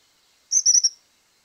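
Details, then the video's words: Tropical Kingbird (Suiriri real) giving a quick, high twitter of three or four thin, buzzy notes run together in half a second; nothing else heard. "Suiriri real"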